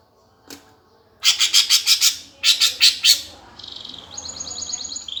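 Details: Leafbird fighting song, gereja tarung style, meant to provoke competition birds: a single click, two bursts of loud harsh chattering chirps, then a soft, high, fast trill.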